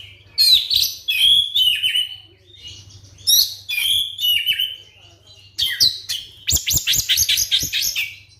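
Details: White-rumped shama lure song for provoking other shamas to sing, made of repeated short whistled phrases ending in a fast series of sharp rising notes, over a low steady hum.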